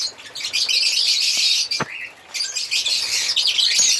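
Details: African lovebirds chirping and singing together, a steady stream of high, rasping twitters and sharp squeaks with a short lull midway.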